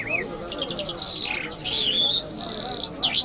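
Lark song: a fast run of high, thin chirps and trills, with sustained bright whistled notes and quick rising twitters.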